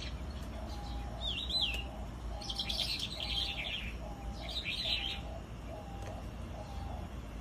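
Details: Sandgrouse giving bursts of rough, buzzy chirping calls, three clustered phrases spaced about a second apart, with a faint repeated lower tone and constant low rumble behind.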